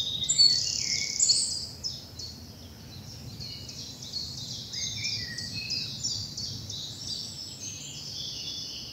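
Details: Early morning spring birdsong in sunlit bluebell woods in the South of England: dense, overlapping high chirps and thin trills from several birds, a brighter trill early on, over a soft low background rumble.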